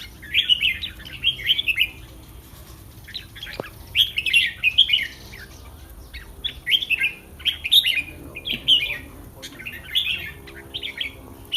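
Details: Caged red-whiskered bulbul singing ahead of a song competition: short, bright, warbled whistled phrases in quick bursts, repeated about every second with brief pauses, plus a sharp click near the middle.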